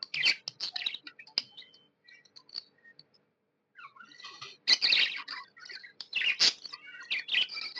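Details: Happy budgerigar, a tamed pet, chirping quietly with scattered ticks and short whistles, then breaking into louder, harsh, rapid chatter in the second half.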